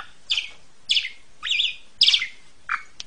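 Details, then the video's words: Asian pied starling master song used to train young birds: five loud harsh, buzzy notes spaced about half a second apart, broad and high, ending with a sharp click. "JALAK SUREN KUALITAS TERJAMIN!!! PANCINGLAH JUNIOR ANDA PAKAI MASTERAN INI"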